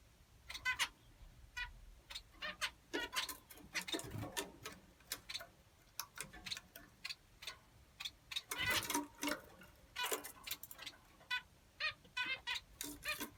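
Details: Several finches chattering in busy, overlapping bursts of short buzzy chirps and clicks, with denser flurries near the middle and end.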